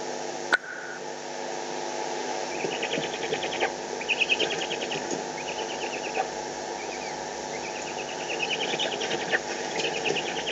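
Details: Eurasian eagle-owls in the Eifel, recorded 21 May 2020 while fighting over prey: several bursts of rapid, scratchy chattering notes at a high pitch, with a sharp click near the start and steady background hiss.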